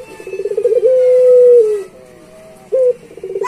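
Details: Pet-training master song of a lively Barbary dove (puter pelung): a quick stuttering roll swells into a long level coo that fades and drops, then a short bright note and the rolling pulses begin again.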